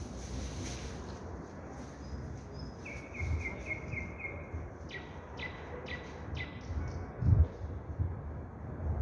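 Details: Nightingales singing: a quick run of about seven short, even notes, followed by five or so sharp downward-sweeping strokes repeated at a steady pace, over a constant low rumble of background noise.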